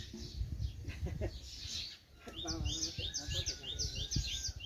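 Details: Birds chirping with an echo from inside a well; a series of sharp, repeated chirps, with low rumbling and thumping noises underneath.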